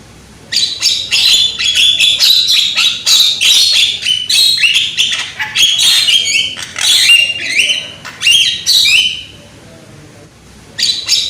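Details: Young Javan myna with a loud voice, used as a lure to encourage singing: a long, varied stream of harsh chatters, squeaks and short rising whistles, pausing near the end before one more burst.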